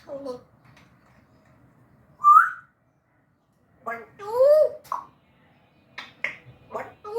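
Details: African grey parrot talking in Urdu and Hindi: short speech-like syllables and sliding whistled notes in separate bursts with quiet gaps, some rising and arching tones, indoors.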